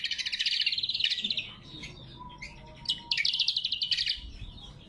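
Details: Greater green leafbird in loud lure and training song: a long run of rapid, warbled, chattering notes, a quieter gap with soft calls, then another fast, bright, chirping phrase.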